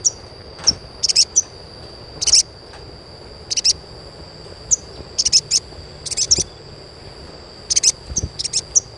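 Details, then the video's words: Asian pied starling chirps, played as therapy to stimulate young birds into singing steadily: sharp, very high chips in short irregular bursts and clusters over a continuous thin electronic whine. "SUARA CUITAN SOGON UNTUK PANCINGAN SOGON BAHAN AGAR CEPAT GACOR"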